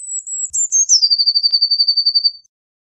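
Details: Eurasian blue tit delivering one song phrase: a thin high note, a few stepped introductory notes, then a rapid, even, high trill of about fifteen pulses fading out after two and a half seconds.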